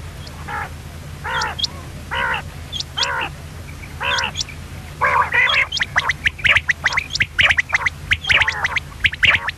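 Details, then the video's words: Female common quail calling: a series of short nasal, harmonic notes roughly every second, with sharp clicky chirps rising in density toward the end, as if from several birds, over a steady low hum. "common quail.quailsound effect.batair ki Awaz.Звук самки перепела.صدای بلدرچین.صوت السمان"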